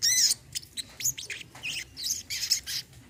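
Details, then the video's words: Olive-backed sunbird song meant as therapy for a sunbird that has gone quiet, with quick, high, sharp chirps and buzzy twitters repeated in short bursts throughout. "TERAPI BURUNG SOGON KOLIBRI KELAPA MACET BUNYI"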